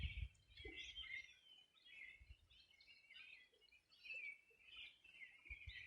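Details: Birds singing by the Bueno River, Los Ríos Region, Chile, one summer morning in 2020; a tangle of chirps and short warbled phrases from several birds, plus occasional low thumps.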